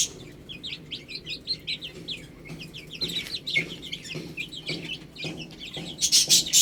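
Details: Chicks feed and drink amid constant, rapid, high-pitched peeping. The short falling notes run in quick series, broken by clicks and a loud hissing burst at the end.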